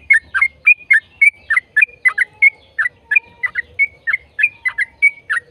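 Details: Trucukan, the yellow-vented bulbul, delivering long rapid 'ropel' song meant to coax other bulbuls into singing: an unbroken run of sharp, whistled chirps, some bending downward, some looping up, with a faint lower whistle between them.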